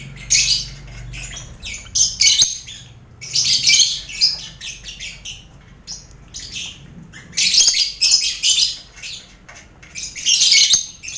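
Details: Lovebirds in a busy colony cage shared with finches and quail, recorded as mental training for competition birds; shrill, high chirping bursts come in dense clusters of about a second each, separated by short quieter gaps.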